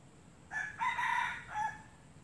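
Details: Red junglefowl from Sabah crowing once: a rough, broken crow of about one and a quarter seconds with a short first note, a long loud middle and a falling tail, over steady high-pitched background hum.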